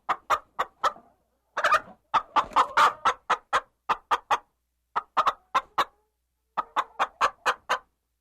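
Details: Chickens clucking: short sharp clucks in quick bursts of three to six, separated by brief pauses, with no other sounds.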